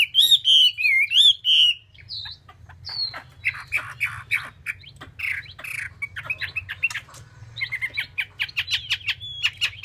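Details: Chinese hwamei opening with a clear, wavering whistled phrase, followed by a long stretch of rapid, scratchy short notes at a fast rhythm.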